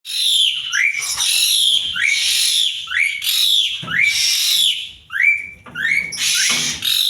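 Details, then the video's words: Asian pied starling singing varied creations: loud, harsh, raspy bursts alternating with short rising whistled slurs, a noisy phrase roughly every second, all rich and high-pitched. "kreasi burung jalak suren"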